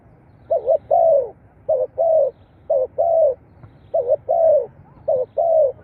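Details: Spotted dove calling, intended to rouse captive birds. Crisp doubled notes lead into a longer, warm coo that falls in pitch. Five such phrases come evenly, roughly one per second, against a soft low hum.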